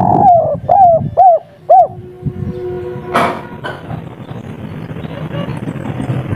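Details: Spotted dove (tekukur), a local bird of the kuk 3 song style, calling vigorously: four short, arched, mellow coos in quick succession over about two seconds, then a sharp knock and a low background rumble.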